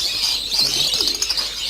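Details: At a lovebird breeding farm with 800 breeding pairs, many birds screech together in a constant high-pitched, shrill chattering din, loud and unbroken throughout.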